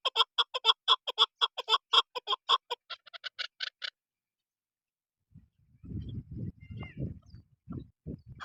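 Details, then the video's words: Chukar partridge (desi chakor) gives a rapid run of harsh, clucking chuk notes, about two a second for four seconds, followed by low rumbling handling noise. "chakor Best sound/چکور کی بہترین اواز"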